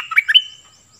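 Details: Decoy cream-vented bulbul singing briefly: three quick liquid warbled notes, the last one higher and clearer, then silence apart from a faint thin background tone.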